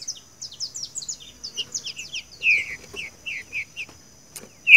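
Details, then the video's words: Green-winged saltator singing the seu chico style, a recording for training captive birds: busy high twittering of other birds first, then a string of clear downward-slurred whistles and a louder whistle at the close. "trinca ferro canto seu chico"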